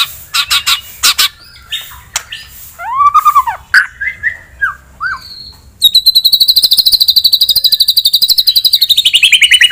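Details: Caged white-rumped shama singing to rouse a rival's aggression: harsh chattering bursts, a slurred arched whistle, then a long rapid trill of repeated buzzy notes that slowly falls in pitch.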